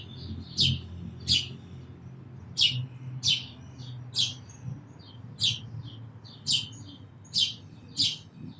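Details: Sparrow repeating high, clipped chirps, about eleven over nine seconds at an uneven pace, against a soft low background rumble.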